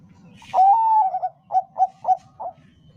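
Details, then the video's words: Zebra dove of the Bangkok type singing, a lure meant to set other doves singing: one long, slightly rising coo followed by four short, spaced, mellow coos, soft low background hum. "suara perkutut bangkok - pancingan paling ampuh untuk semua perkutut bangkok agar gacor"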